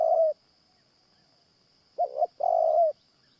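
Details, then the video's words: Caged decoy Spotted Dove calling at a morning trapping session for wild doves: one soft hollow coo, a pause of over a second, then a quick stuttered double coo, with a constant thin whine behind. "ต่อนกเขาใหญ่คอนเช้ากับ เจ้าอ่างตลอด"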